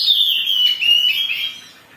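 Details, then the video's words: Oriental magpie-robin, agitated, singing to provoke other birds: a loud, harsh, descending warble broken into short wavering notes, fading out near the end. "Pancingan Kacer Gacor || Suara Kacer Emosi"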